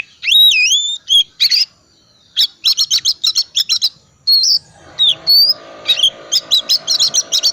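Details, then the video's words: Oriental magpie-robin in vigorous full song, used to get other magpie-robins singing: sweeping whistled notes with bends, sharp high chips, and rapid stuttering bursts of clicks and short notes, with pauses between phrases. "Kacer tipe dingin gacor full isian pancingan kacer susah on"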